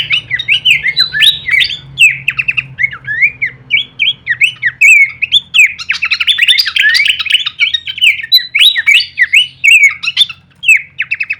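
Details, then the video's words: Horsfield's babbler song recorded as masteran training audio for songbirds, full kleperan variation: dense, continuous stream of quick whistled slides and chattering notes with sharp clicks, over a soft low hum. "masteran andalan khas burung pelanduk semak suara full variasi kleperan"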